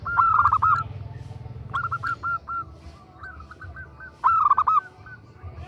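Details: Female zebra dove calling to a male: bursts of quick, arched, cooing notes repeated in short rattling runs, with brief pauses between phrases and a low hum underneath.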